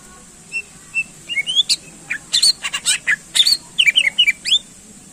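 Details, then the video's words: Greater green leafbird song played to rouse contest birds: sharp high whistles and quick slurred chips in clusters, some buzzy bursts, steady and lively across five seconds. "Cucak Ijo Gacor Ampuh Menaikkan Emosi Burung Lomba"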